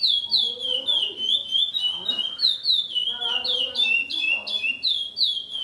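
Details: Home recording of a captive curió, or Chestnut-bellied Seed-Finch, that started a breeding line after its 2007 purchase and sang long, repetitive songs. Bright descending whistles repeat rapidly and evenly, with soft talking in the background.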